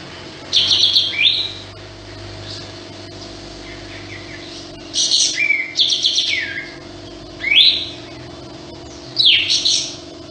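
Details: Sooty-headed bulbul singing actively with tail spread, giving four spaced phrases of a rasping burst followed by a clear downslurred whistle, with quiet pauses between them and a faint constant background hum.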